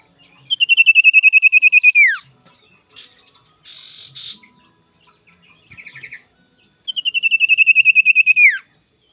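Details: Sirtu giving its morning lure song to provoke rivals. Two long, rapid, ringing trills, each at a steady high pitch and ending in a falling sweep, are separated by a short buzzy note and a brief rattling phrase.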